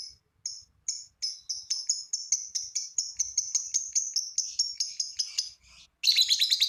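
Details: Lovebird ngekek, a long trill used to prompt other lovebirds to sing: short squeaky notes that speed up into a rapid even trill, pause briefly, then restart as harsh, loud chatter.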